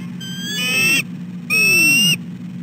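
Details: Bald eagle pair on their nest at 6:10 am, the female fussing at the male: two drawn-out, high, strained squealing notes, each lasting about half a second, over a steady low hum.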